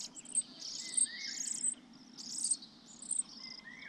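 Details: Young sparrows calling from a nest high in a pine tree while the parents care for them. Shrill, rasping chirps come in loud bursts about a second apart over a constant buzzing hum from insects.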